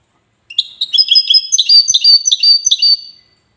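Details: Goldfinch of the widani style from Safi, Morocco: a lively phrase of repeated tinkling, slightly buzzy notes rising and falling for about two and a half seconds, then silence.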